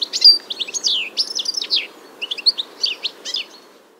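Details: European goldfinch singing in early spring, 21 March 2023, in Biryulyovsky forest park, Moscow: a fast, tinkling run of high twittering notes and liquid slurred phrases, with brief pauses between bursts.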